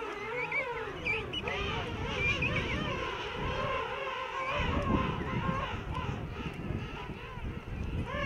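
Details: King penguins in a large breeding rookery among coarse tussac grass on rock at Salisbury Plain, South Georgia: a dense chorus of overlapping trumpeting, wavering harmonic calls from many birds, with a steady low rumble beneath.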